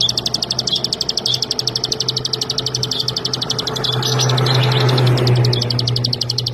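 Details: Bar-winged prinia from rice fields giving a long, even, rapid high ticking trill, about four notes a second, over a steady low engine-like hum.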